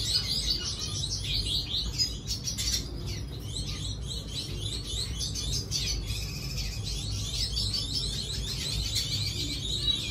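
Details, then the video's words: Steady twittering and warbling from a red siskin, fast chirps and trill fragments running almost without pause, with a persistent low droning noise underneath. "Redsiskin sing a song"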